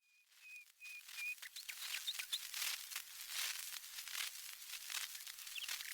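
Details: A common nightingale on a 1913 disc recording published by the Victor Talking Machine Company: four pure, level whistled notes in quick succession, then brief higher chirps buried under loud crackle and hiss.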